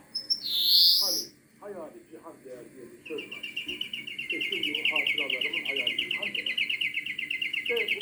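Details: European greenfinch song: a brief whistle and a strong falling wheeze, then a sustained five-second run of rapid rattling trill notes, with low chattering sounds and faint music underneath.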